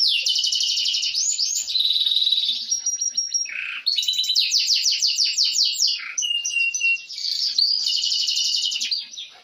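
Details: Canary singing energetically, with long rapid rolling trills, a thin sustained whistle, swooping notes and short pauses between bursts of dense high warbling.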